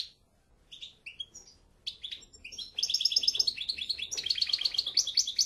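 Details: Goldfinch song building from a few scattered chirps into sustained, fast rippling trills of bright tinkling notes, over faint background hiss.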